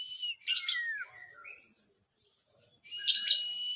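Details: Lovebird provoking others with song: a harsh chatter with a downward-sliding whistle, continuous high warbling, then a second loud rasping burst.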